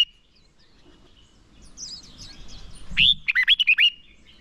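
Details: Combative song of a red-whiskered bulbul kept as a decoy to lure wild birds and train singers: after faint high chirps, one loud phrase of about six bright, swooping whistled notes.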